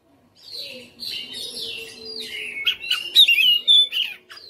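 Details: Home-raised caged Oriental magpie-robin, fighter style, singing steadily through its full repertoire. Soft drawn-out warbling opens, then louder quick whistles and sharp rising-falling notes crowd together toward the end.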